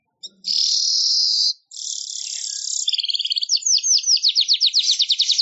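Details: Weaver song for songbird training: a long, harsh, hissing buzz lasting about a second, a second scratchy buzz, then an accelerating string of high, quick, downward-sweeping chirps.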